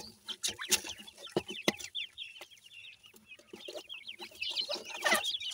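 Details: A group of feeding partridge chicks (teetar) cheeps continuously in high, quick, downslurred notes, with a few loud pecking clicks early on and more rustling at the end.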